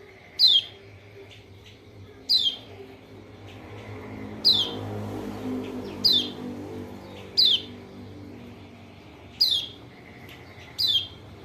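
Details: White-eye call used as a lure to rouse a reluctant, silent bird into singing: sharp high descending chirps, each a quick downward slur, repeated about every two seconds, over faint low background hum.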